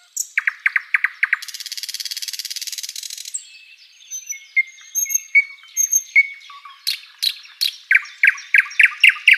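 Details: ['Sikatan londo flycatcher tutor recording: a few sharp chips, a long dry buzzing rattle, then scattered thin whistles and downslurred notes, ending in a run of rapid, clipped chirps repeated several times a second.']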